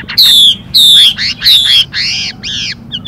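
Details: Female Chinese hwamei giving fast hissing calls to excite the male: loud harsh downslurred notes repeated about every half second, ending in rougher arched calls.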